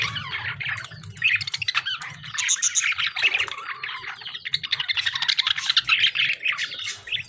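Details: Fighting lovebirds and budgies keep up a constant busy chatter of rapid chirps and rasping squawks, with bursts of shrill high notes and hardly any gaps.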